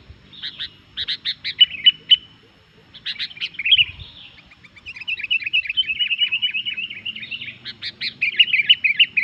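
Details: Sooty-headed bulbul chatter aimed at rousing other bulbuls: separated sharp chirps, a brief slurred warble, then a long rapid twittering run of bubbly notes, with a low hum and a soft thump.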